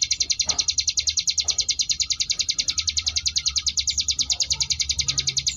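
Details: Sunda bush warbler in the ngebrem variation, a training song for contest birds: an even, fast rattle of high buzzy notes sustained throughout, with faint low background noise.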